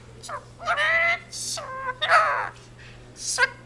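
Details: Talking Indian ringneck parakeet kept as a pet, repeating the Punjabi jaikara "jo bole so nihaal sat sri akal" in a squeaky, high-pitched voice, with drawn-out syllables and a brief sharp note at the end.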